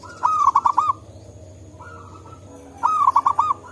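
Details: Wild local zebra dove in forest, used to lure and prompt other doves: two rapid bursts of soft rolling coos about two and a half seconds apart, a fainter answering coo between them, over low background rumble.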